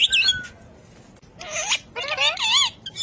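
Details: Ring-necked parakeet talking: a short high chirp, a pause, then two harmonic, wavering speech-like phrases about a second long, with rapid warbling pitch swings. No other sounds intrude.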